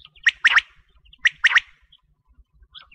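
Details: Quail call for wheat-season hunting: a sharp three-note phrase, one note followed by a quick pair, given twice about a second apart, clear over a faint low rumble.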